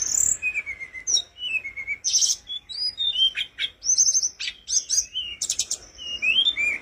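Flowerpecker singing a busy run of thin, high whistles, sharp ticks and short descending slurs, the phrases changing every second or so.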